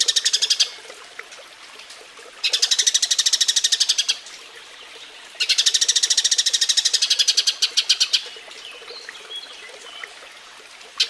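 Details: Eurasian tree sparrow's mating call, offered as a tutor recording for songbirds: repeated bouts of rapid, buzzy chirping, with a few scattered single notes and quiet spells between the bouts.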